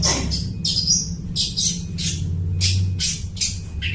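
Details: Long-tailed shrike mimicking other birds, a song used to lure birds for trapping; short squawky bursts about twice a second, high and harsh, with a low droning hum underneath.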